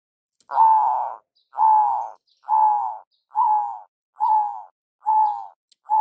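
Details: Local zebra dove, a big-voiced lure call, gives a steady series of low, hollow, slightly falling coos, each about half a second long, repeated roughly every second, with a clean, quiet background.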